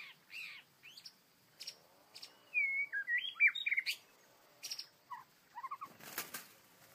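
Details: White-rumped shama, an angry bird caught in a trap in the wild: a few sharp chip notes, then a rich run of whistled, rising and falling phrases, ending with short clicks and a burst of harsh noise.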